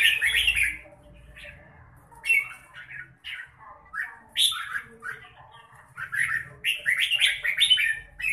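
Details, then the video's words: A red-whiskered bulbul in good form sings in the 'mãng nhãn' manner, giving scattered sweet whistles and slurred chirps that build into denser, faster trilled phrases toward the end. "Chào mào bộ đẹp lối chơi mãng nhãn"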